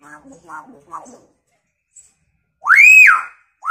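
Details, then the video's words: Hill myna calling: soft, voice-like murmured syllables, then a loud, clear whistle rising and falling in an arch, with another whistle starting at the end. "Burung beo gacor fariasi suara ayam"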